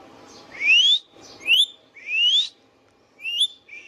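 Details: Pet Indian ringneck parakeet producing three quick upward-gliding whistles in close succession, then a shorter wavering whistle after a pause, over faint background hiss.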